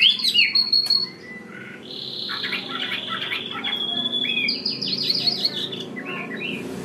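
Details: Wild-caught hwamei, caged for one week, singing a varied song of loud whistled phrases, quick slurred notes and rapid chattering runs, with short pauses between bursts and a faint low hum behind.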